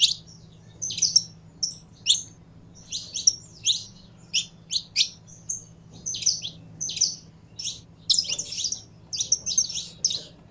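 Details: Kept saffron finch warming up its voice: ten seconds of bright, high chirps and short buzzy phrases, irregularly grouped, some notes doubled, steady low hum throughout.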